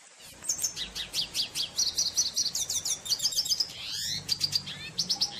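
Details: Wild red siskin in full song in nature: high, rapid twittering with sharp repeated chirps and clipped trills, a brief buzzy upward-sweeping note near the end, then more quick chirps; a soft low background hum throughout.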